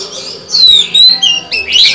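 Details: A caged female white-rumped shama singing to stimulate males gives a short burst of clear falling whistles and a rising slur.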